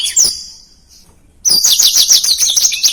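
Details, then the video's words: Black-throated canary gives a short high whistle, falls silent for a moment, then bursts into a dense run of shrill rapid chirps. "Suara Blackthroat Gacor Speed Rapat | Masteran Blackthroat Durasi Panjang"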